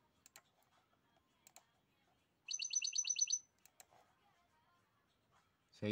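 European goldfinch giving a fast cascade phrase: about eight bright, tinkling notes repeated in under a second. Scattered clicks and a voice follow.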